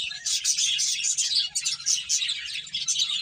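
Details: Several finches eating and playing, giving a dense, continuous mass of high, overlapping chirps and tweets with no pauses, over a faint low steady hum.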